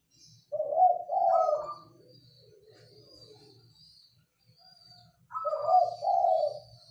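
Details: Local zebra dove in a rattan Mataraman cage, singing steadily: two rich, rolling coo phrases about four seconds apart, each a quick burst of soft bubbling notes, with a quiet pause and faint murmuring between them.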